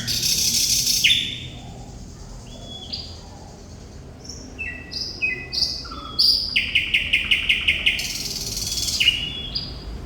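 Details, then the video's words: Vigorous song of a thrush nightingale (sikatan londo). A harsh opening note gives way to varied whistles, then a fast, even rattle of hard clicks lasting about two seconds, ending in a rising whistle. "Sikatan Londo Thrush Nightingale Gacor"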